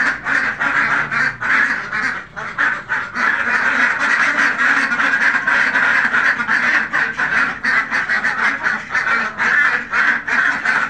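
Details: Farmed Khaki Campbell ducks in a flock, quacking nonstop in a dense, overlapping chorus of harsh nasal calls with hardly a break across the whole stretch.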